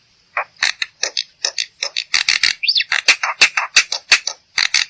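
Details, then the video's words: Black-winged myna song meant to coax other birds into singing: rapid ratchet-like rasping notes, about three per second, with one short upward-swept whistle in the middle, loud and continuous to the end. "Suara Burung Jalak Putih"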